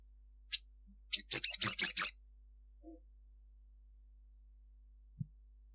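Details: Crimson sunbird singing vigorously at midday: a sharp high chip, then a quick burst of about six loud, buzzy high notes, followed by a few faint chips.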